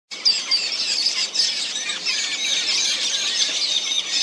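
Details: Metallic starlings, recorded 20 November 2023, keep up a dense, nonstop chatter of high, squeaky, metallic chirps and wheezes, with many birds overlapping at once.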